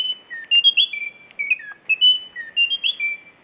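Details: Endemic Munchique wood-wren at La Mesenia in the western Andes of Colombia, July 2013: clear high whistled notes alternating up and down in quick phrases, with a few sharp clicks between.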